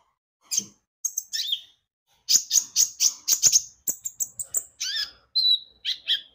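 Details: Javan white-eye in full, lively song, used as a lure for singing birds: a few sharp chirps, then a rapid, steady stream of very high piping notes and slurred whistles, several per second.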